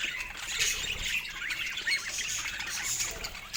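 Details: Pet budgerigars in a happy chatter: fast, fluttering chirps and scratchy squawks overlapping in a bright high band, with brief louder peaks near the middle and the close.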